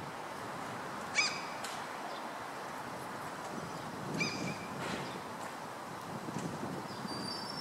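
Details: Common gull (Larus canus canus), one of a pair with a young bird walking in a street in Stockholm on 15 July 2014, gives two short nasal mewing calls about three seconds apart over steady traffic and outdoor hiss.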